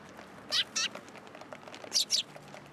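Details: Eurasian tree sparrows coming for food placed on a pillar at a Tenmangu shrine, 27 December 2022; two pairs of loud, bright chirps in quick succession, separated by a short gap, over low background noise.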